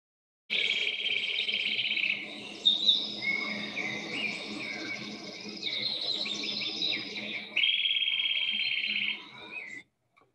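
A Eurasian Nuthatch gives fast, even, high-pitched trills lasting a second or two each, with sharper whistled notes from other birds in between.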